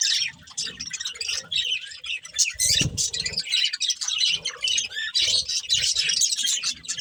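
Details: Budgerigars, a breeding pair, chirping while eating: dense, scratchy warbling chatter with squawky notes, continuous over the whole stretch, plus low thumps from below.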